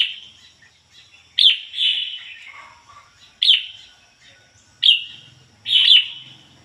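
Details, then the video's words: Caged red-whiskered bulbul kept as a decoy bird, singing in the ngoi bổi style: bright whistled phrases repeated about every one and a half seconds, each opening with a sharp note that slurs downward. "chim chào mào mồi hót ngoi bổi giọng chuẩn ko lấn tạp ôm"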